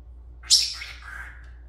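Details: Pet Senegal parrot, filmed talking and dancing, gives one piercing high note that drops into a softer, lower drawn-out tail lasting about a second. A low indoor hum sits underneath.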